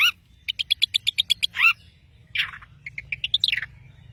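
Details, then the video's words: Long-tailed shrike from Madura in energetic song: a quick even series of about ten clicking, squeaky notes, then a slurred rasp and a short, rising chatter. "CENDET Pentet MADURA GACOR"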